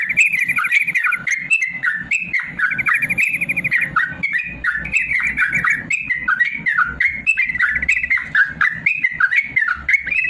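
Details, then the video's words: Caged yellow-vented bulbul singing a long, continuous song used as a master recording to coax lazy birds to sing: rapid bubbling, warbling phrases of liquid notes, some trilled, repeated without pause. "BURUNG TRUCUKAN ROPEL PANJANG||AMPUH UNTUK MASTERAN TRUCUKAN MALAS BUNYI"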